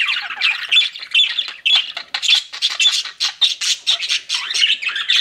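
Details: Chattering pet budgerigars give quick, raspy chirps and short squeaky whistles in rapid bursts, several birds calling over one another.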